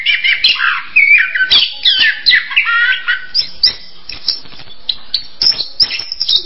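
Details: Orange-headed thrush song: rich warbled phrases at the start, then sharper high chips and short whistles spaced irregularly, roughly one burst per second.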